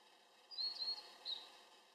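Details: Blue-and-white flycatcher song, the year's first heard in 2013 as summer birds return: a few high, clear whistled notes over about a second, over faint steady background hiss.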